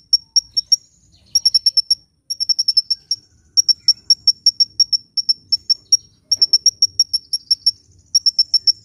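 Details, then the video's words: Sunbird in lively song, used for luring birds and prompting silent birds to sing: sharp high chips in fast bursts of four to eight notes, separated by short pauses, over a quiet background. "SUARA BURUNG KOLIBRI GACOR‼️ [bisa buat pikat & yg males bunyi"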